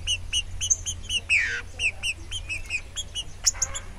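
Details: A green-winged saltator (Saltator similis) singing while loose, not caged, gives a fast run of short, bright, ringing notes, about five a second, broken by a falling burry slur, over a low steady hum.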